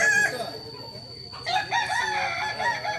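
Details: Kokok Balenggek rooster, a native chicken of Solok, West Sumatra, whose crow rises in tiers: a short harmonic crow opens, a pause follows, then a longer wavering multi-step crow with other crowing close behind.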